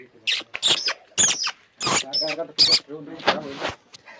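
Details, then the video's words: Pet parrot over 25 years old, kept in a village in Konkan, talking: a string of harsh, squawky speech-like syllables in short loud bursts with brief gaps, some shrill and hissy, others lower and voice-like. "My Village Parrot🐦 Voice so Amazing"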